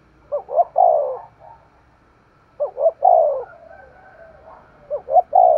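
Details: Vigorous thúc gù cooing by a spotted dove, with three phrases about every two seconds. Each phrase is two short rising notes and a drawn-out falling coo, and faint extra coos sound between them.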